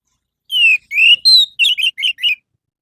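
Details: Orange-headed thrush song used as a morning lure for captive birds: a falling whistle, a rising whistle, a higher sustained note, then four short rapid warbled notes, clear with no other sounds.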